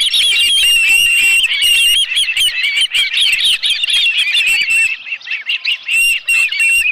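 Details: Osprey calling at its nest, Dunrovin Ranch, 11 July 2018, live fish brought in: about two to three high piping chirps per second, irregular and wavering, easing briefly toward the end before resuming.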